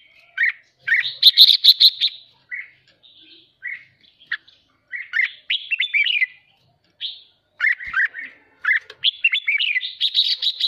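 A red-whiskered bulbul sings bright, bubbling whistled phrases and chattering bursts, about two or three a second, mostly high-pitched, with short pauses between.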